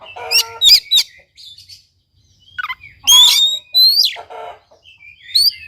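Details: Oriental magpie-robin (kacer) song used as a lure and master track to get a reluctant bird to sing: loud, sharp whistled phrases with rising and falling slurs and dry clicks, in bursts separated by brief quiet gaps.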